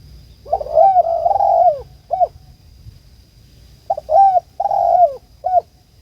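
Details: A spotted dove, local name tekukur, calls its companion with mellow low coos: a long wavering coo then a short clipped note, repeated twice over a faint hum.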